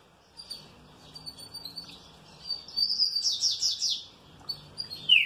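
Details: Green-winged saltator in good care singing cheerfully: quiet high notes open, followed by a fast string of buzzy, downward-sweeping phrases, then a final clear falling whistle.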